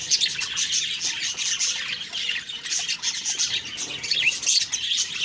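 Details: Chattering budgies on a morning, a mix of quick high chirps and scratchy notes, continuous and overlapping throughout.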